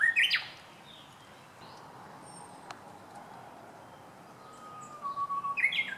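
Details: Japanese bush warbler (Horornis diphone), first song of the season, 19 March 2016: sharp bright notes open the phrase, a faint low level whistle follows, then a quick rising flourish of clear notes; otherwise quiet.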